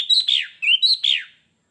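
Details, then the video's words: Sooty-headed bulbul (kutilang) in lively full song, called gacor: two loud, quick whistled phrases of slurred, rising and falling notes, each ending in a downward swoop, filling most of the short recording with no other sounds. "kutilang gacor"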